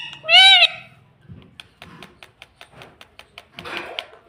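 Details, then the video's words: Talking pet parrot saying 'mummy' indoors: a loud, harmonic, speech-like syllable at the start, then a series of soft rhythmic clicks and tapping, and a burst of scratchy sound at the end. "Parrot sound mummy 🥰 mummy mitthu ko roti do🤩parrot natural sound 😆 मम्मी पापा बोलता तोता"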